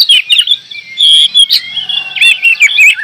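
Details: Lively gacor singing of a kacer, the oriental magpie-robin: loud clear whistles and fast warbled flourishes, with a faint low hum in the background.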